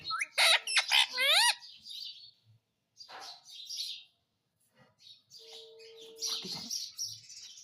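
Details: Pet Indian ringneck parrot that talks, heard opening with a quick run of loud chirps and curving whistled notes, then softer scratchy chatter and a burst of mixed squeaks.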